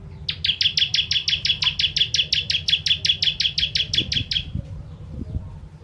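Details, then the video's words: Bar-winged prinia (ciblek kristal) song for training contest birds: one long run of about twenty-five sharp, bright chips at a fast steady rate over four seconds, then low thumps. "Ciblek Kristal Tembakan Pedas Cocok Untuk Masteran Burung"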